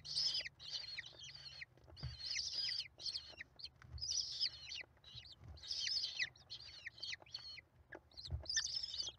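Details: Five hungry American kestrel chicks at a nest, 28 May 2021, give harsh, raspy, high chittering bursts in quick overlapping clusters every second or so while their mother feeds them, with faint low rumble beneath.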